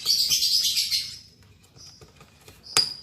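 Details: Caged lovebird pair just put together, albino MM male with lutino MM female: a dense, harsh chattering burst for about a second, then a thin steady note and a sharp final squeak.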